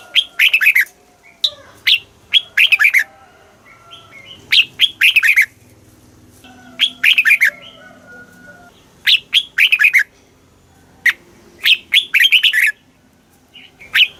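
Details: Thai caged red-whiskered bulbul singing in the southern master style, played to excite caged birds and teach chicks; quick chirpy whistled phrases of four to six notes come in repeated bursts every two to three seconds.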